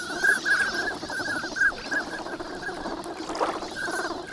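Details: A flock of migrant ducks wintering at Nagahama on Lake Inawashiro, Japan, recorded in the morning in good weather with an ECM-B1M microphone: a quick run of clipped nasal calls opens, then softer scattered notes and steady background murmur.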